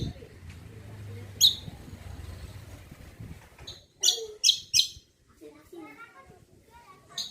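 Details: Greater green leafbird (cucak kombo) singing as a lure for other birds: an isolated sharp chirp, then three rapid bright notes, followed by softer warbled, twittering phrases and a final chirp.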